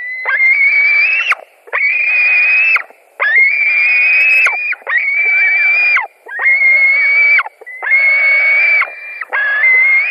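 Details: White-tailed eagles at a nest in Latvia, 17 July 2020 around 22:00, during a fish delivery with two birds contesting the fish: long drawn-out squealing calls, about seven in ten seconds, each steady then dropping sharply at the end.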